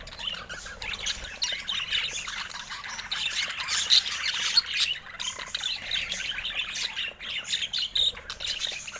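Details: Steady budgerigar flock chatter, overlapping high chirps, squeaks and warbles that rise and fall in intensity without stopping.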